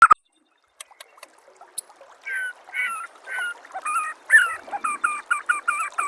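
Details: White-rumped shama master song meant to make other shamas answer and sing; after a quiet start, a series of harsh, buzzy repeated notes, each quickly following the last, over a faint hiss.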